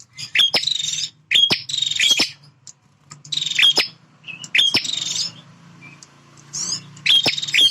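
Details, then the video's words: Male bar-winged prinia in loud territorial song: clicking, buzzy high phrases with a thin whistled note, in about five bursts, over a steady low electrical hum. "Suara Prenjak Jantan Super Gacor"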